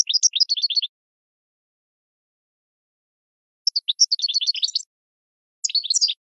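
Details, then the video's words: Goldfinch song for cage-bird training, three short bouts of rapid high twitters with long silent gaps between them. "Goldfinch 12h Excellent for Training"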